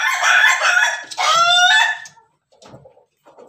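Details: Ayam Ketawa rooster crowing in the afternoon: a loud rough opening phrase, then a broken, laughing series of shorter harmonic notes that fade into quieter trailing syllables.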